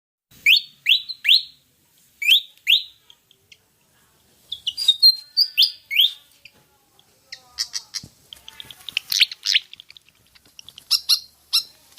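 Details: Pied fantail, called kipasan in Java, in a recording used to lure other birds into singing: groups of two or three sharp rising whistles, then a busy stretch of scratchy chattering notes and high twitters.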